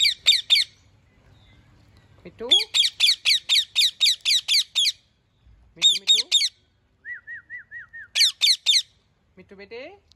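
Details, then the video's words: Talking parrot giving rapid bursts of harsh, high squawks, repeated about four times a second in groups. There are short pauses between groups, one brief run of falling whistled notes, and a few lower gliding calls. "Parrot Natural Voice | Talking Parrot | Parrot Video | Parrot Speaking"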